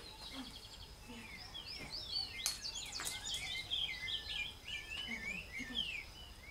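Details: Double-collared seedeater (Sporophila caerulescens): a quick, varied run of high twittering chirps and short sliding notes, tumbling over one another, over a steady thin insect whine with a few sharp clicks.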